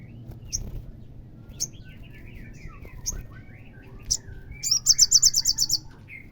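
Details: Olive-backed sunbird, as played to provoke a caged bird into singing: scattered thin high chips and soft mid-pitched warbling notes, ending in a fast, loud, very high trill of about ten clipped notes over steady low noise.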